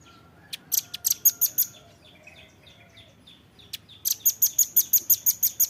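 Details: In a tutor recording for captive birds, a Velvet-fronted nuthatch gives a few loose high chips and soft twitters, then launches into a steady, rapid string of shrill notes.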